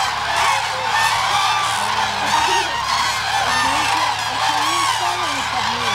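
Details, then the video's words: A huge winter flock of migratory Common Cranes, about 30,000 birds, feeding at Hula lake in upper Galilee, Israel, December 2011; a constant roar of overlapping trumpeting cries, some rising and falling, over a continuous low motor hum. "30 thousand migratory Common Cranes feeding in the Hula lake, upper Galilee Israel, winter 2011"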